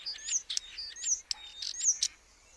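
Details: Common starling (Sturnus vulgaris): quick chattering of high squeaky whistles and clicks, several short bright notes crowded into under three seconds before fading out.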